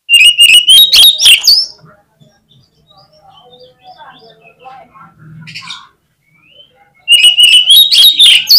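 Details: Magpie-robin song used to spur rival kacer into answering: two loud, dense bursts of rising, wavering whistles with sharp ticks, separated by several seconds of quiet, scattered soft notes.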